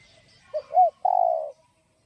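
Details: One giọng đồng phrase from a spotted dove, used to lure other doves. A short low note and a rising-falling note lead into a long, gently falling coo, then silence.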